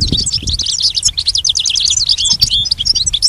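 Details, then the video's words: Goldfinch tutor song for pet birds: a lively stream of high, sharp chirps and short twittered phrases, bright and rapid throughout. "Teaching the goldfinch the art of song-advanced lessons in best chirps"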